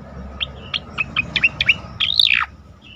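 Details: Cicakoreng, the striated grassbird, in rapid 'tembakan' shooting song meant to provoke other birds: a string of short clipped chirps, speeding up, capped by a loud rising then plunging whistled phrase near two seconds.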